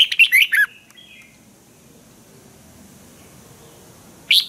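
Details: Red-whiskered bulbul kept as a cage bird in Thailand, singing a crisp training song: one rapid burst of rich, slurred whistles at the start, a thin distant bird phrase, then a new burst starting at the end.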